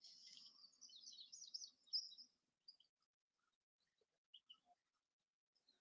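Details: Indigo Bunting song from a field recording: a quick run of high, bright, sweeping notes lasting about two seconds, then a few scattered faint chirps.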